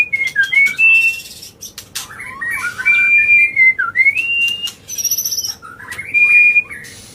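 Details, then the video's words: White-rumped shama giving agitated non-stop song to provoke other birds: varied whistled phrases, short trills and clicks, several clear level whistles and a high buzzy note, delivered in a rapid, restless stream. "Pancingan Murai Batu Emosi, Gacor Nonstop 24 Jam❗❗ AUTO Buka Paruh Langsung Ngamuk"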